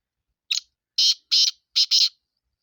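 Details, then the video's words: Harsh, rhythmic phrase of a black francolin from Sindh: one short leading note, a pause, then four rough buzzing syllables in a tight run, the closing pair run together. "کالا تیتر کی آواز سندھی کالے تیتر کی مکس آوازیں"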